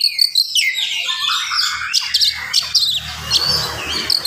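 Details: Fast, densely packed morning song of an oriental magpie-robin, used to provoke other magpie-robins; sharp high chirps and rapid whistled notes, fading into a quieter noisy stretch toward the end.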